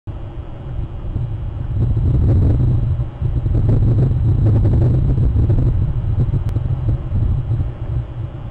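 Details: Loud, continuous low vehicle rumble with wind buffeting throughout; no animal calls stand out.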